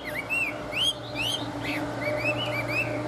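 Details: Chinese hwamei, a tame bird singing, giving a few arched whistled notes and soft slurs at an even pace, set against a noticeable steady low hum.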